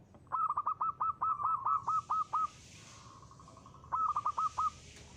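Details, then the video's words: Ngristal-style song of a local zebra dove, kept as a lure: a fast series of about a dozen clipped, bright cooing notes, a pause with faint hissing background, then a shorter run of five notes. "perkutut lokal gacor.suara ngristal ampuh buat pancingan."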